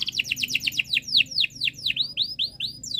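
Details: Canary in breeding condition singing to prompt other birds: a quick run of about twenty repeated downslurred whistled notes, shifting to rising slurred notes toward the end, over a faint low hum.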